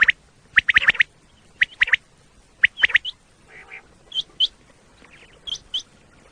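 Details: Common quail, a recording played to lure quail for hunting in Pakistan: quick clusters of sharp clipped notes, then a soft nasal buzz and a few thinner, higher hooked notes.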